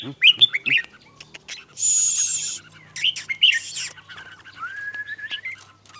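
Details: Red-whiskered bulbul giving loud chirpy warbled notes, then a steady whistled note near the end, broken by a short burst of hissing noise.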